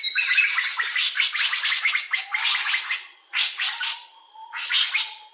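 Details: Laughing Kookaburra cackling in its iconic laugh, a long run of rough, chattering bursts that slows into a few separate harsh outbursts toward the end.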